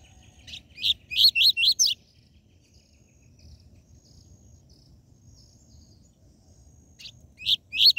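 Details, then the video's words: A Double-collared seedeater gives tui tui zel zel song, used to fire up caged birds: a rapid volley of four strong buzzy notes, a long quiet gap with faint chips, then the volley resumes. "Esquente seu COLEIRO e PAPACAPIM CANTO TUI TUI ZEL ZEL"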